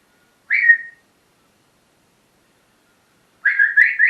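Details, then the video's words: Pet parrot whistling in the morning: one short bright whistle, a long silence, then a longer warbling whistle rising at the end. "My parrots morning talking session"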